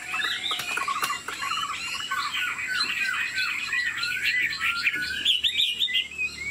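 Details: Caged Chinese Hwamei, described as 90% tame, singing with wing display while nodding, a lion-dance-like movement: a dense run of varied whistled, warbling phrases, rising and falling, with frequent sharp clicks and taps from the cage.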